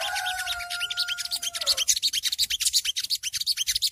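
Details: Songgo ontong shrike riwik chatter, used as early training audio to stir caged birds into replying: a fast run of rasping notes, about eight per second, with a steady two-toned whistle over the first second and a half.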